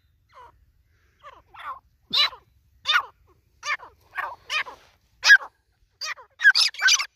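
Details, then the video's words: White partridge (white teetar) calling: a series of harsh, scratchy broadband notes, sparse at first, then louder and faster, in bursts roughly every half second, with no other sounds. "white Teetar ki Awaz |white Teetar voice |Teetar sound |Teetar ki boli"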